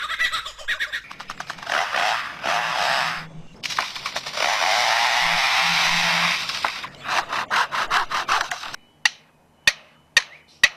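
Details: Superb lyrebird (Menura novaehollandiae) mimicry: it imitates the rasping strokes of a handsaw, then long harsh buzzing bursts, ending with four sharp, evenly spaced knocks like hammering.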